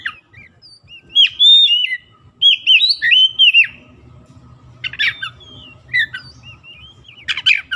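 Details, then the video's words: Oriental magpie-robin song played as a lure to prompt sluggish, silent birds to sing: loud, varied whistled phrases with rising and falling slurs and scratchy notes, separated by pauses, over a faint low hum. "PANCINGAN KACER LELET BISU | PASTI AKAN IKUT GACOR NGEPLONG GACOR"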